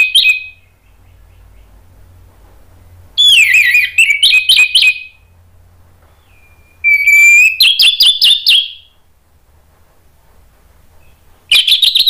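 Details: Orange-headed thrush song used to prompt other thrushes to answer and sing: bursts of rich whistled phrases with rising slurred notes and quick varied trills, separated by pauses of about two to three seconds, with a faint low hum beneath.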